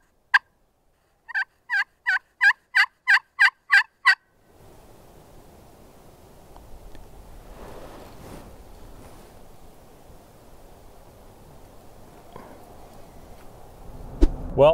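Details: During a public-land turkey hunt in Nebraska, with hens and gobblers in a group below, a Wild Turkey gives about eight evenly paced, harsh yelps in three seconds, then wind and rustling follow; finding: turkey.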